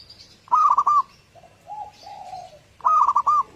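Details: Local zebra dove song, a lure for playing in the morning to set other doves singing: two loud bursts of rapid clipped cooing notes, with softer, lower drawn-out coos between them.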